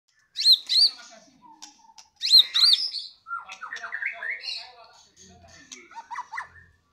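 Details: Loud singing from a Medan-type white-rumped shama: high, sharp rising whistles and slurred notes, then a run of varied lower warbling phrases with quick chips, broken by short pauses.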